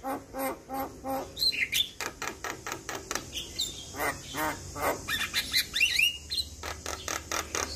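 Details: Lively Javan myna singing as training material for young birds: rapid repeated nasal chattering notes with a few squealing whistled slurs mixed in throughout.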